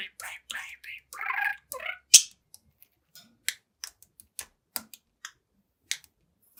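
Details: Young pet budgerigar, seven months old, chatters, dances and sings in front of a mirror. A short burst of warbled, scratchy chatter is followed by scattered sharp clicks and taps.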